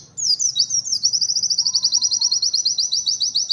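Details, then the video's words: White-eye singing a varied, lively phrase: a few sliding high chirps, then a rapid series of short repeated notes, each about a third of a second apart, holding steady and high-pitched to the end. "PLECI NEMBAK UNIK"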